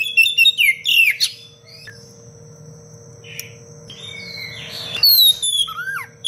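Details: Oriental magpie-robin delivering a dense, sharp cengkok rapat song as tutor material for other birds: quick chirps and a swooping whistle, a quiet gap with a short buzz, then bright falling whistles and a curved note.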